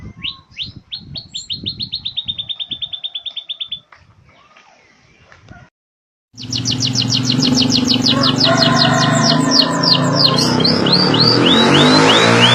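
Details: Beujeg bird singing in canary style: a fast even trill of high notes, a pause, then a loud dense burst of rapid trills and sweeps over heavy background noise.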